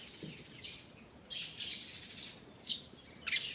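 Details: High, bright chirps and twitters from forest birds at morning, growing louder toward the end with two sharp, clear notes, over soft background hiss.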